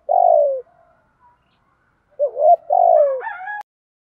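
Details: Spotted dove cooing in the thúc gù style, a coo meant to stimulate and train other doves. A long descending coo comes first, then a wavering rising lead-in and another falling coo, with faint higher tones at the close.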